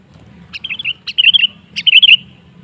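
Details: Sooty-headed bulbul song used as a lure recording to prompt other bulbuls to sing: three short, bright, bubbly phrases of quick chirping notes, each about half a second long, separated by brief pauses over a low background hum.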